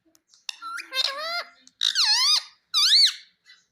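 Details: Talking parrot kept as a pet, repeating words like mitthu and mummy; a string of squeaky, speech-like syllables that rise and dip, in three main phrases separated by short gaps.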